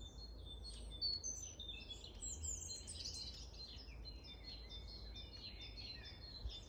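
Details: Long-tailed tit calls from Grunewald, recorded 20 March 2021: dense, very high, thin tsee notes and quick twitters from several birds at once, continuous for the whole stretch, above faint low background hum.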